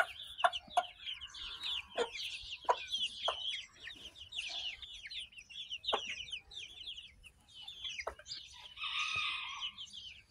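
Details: Several chicken chicks in a barnyard, hatched May 21, 2024, recorded June 22, 2024. Rapid, high, downward-sliding cheeps pour out almost nonstop, broken by sharp clicky taps about once a second, with a louder squeaky burst near the end.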